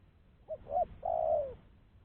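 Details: One phrase of a spotted dove's luring call: a brief low coo, a second slightly stronger coo, then a drawn-out coo that slides downward, clean and without other sounds.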